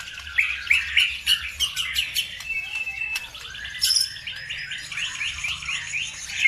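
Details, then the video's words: Lure bird song meant to get other birds singing: a varied jumble of high chirps, short whistles and twittering phrases, briefly holding a level whistled note, then fast trilled chatter toward the end, with faint low background noise. "PANCINGAN SUPER AMPUH CUKUP HITUNGAN DETIK LANGSUNG NYAUT BIKIN EMOSI BURUNG NAIK IKUT GACOR"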